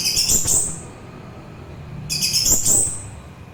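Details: Orange-headed thrush delivering two dense, high-pitched warbling phrases separated by a pause of over a second, each a quick tumble of sharp notes over a faint low hum.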